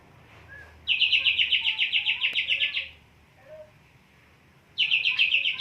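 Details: Greater green leafbird, caged male in high breeding condition, singing hard: two loud bursts of rapid, evenly repeated bright chirping notes, about four per second, each lasting roughly two seconds, separated by a quiet pause with faint background sounds.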